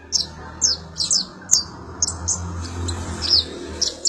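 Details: Sunbird, locally called kolibri ninja, used as song material for magpie-robins: short, sharp, very high downward-slurred chips about twice a second, set against a steady low hum.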